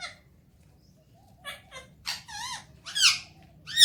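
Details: Alexandrine parakeet kept as a talking pet, heard in morning time: soft short squeaks build into louder bending, warbling notes and harsh squawks that grow stronger toward the end.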